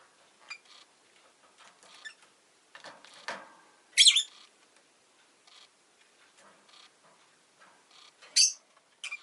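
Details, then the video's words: Pet rosy-faced lovebird giving occasional sharp, shrill high chirps among soft scratchy rustling and faint clicks; two loud harsh calls stand out several seconds apart. "Lovebird Chirping Sounds"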